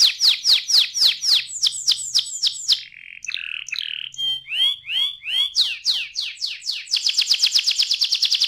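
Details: Canary song meant for young canaries: a run of loud descending chirps, a short warbled middle part, curved swooping notes, and a closing rapid high trill.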